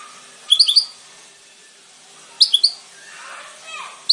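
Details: Goldfinch giving brief bursts of three or four bright, high chirps, spaced nearly two seconds apart, with soft lower murmuring sounds between phrases.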